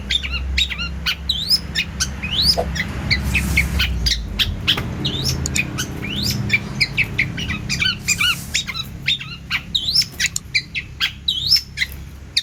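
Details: Long-tailed shrike in lively song rich in varied fills, a busy run of clipped chirps, rising slurred whistles and harsh notes delivered almost without pause, with a faint low hum beneath.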